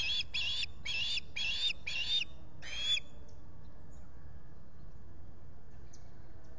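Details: Osprey at its nest at Salt Point in the Finger Lakes, US, on 23 July 2021, when a visitor came to the nest, captured by a solar-powered nest camera: six loud, harsh chirps in quick succession over three seconds, then steady background noise.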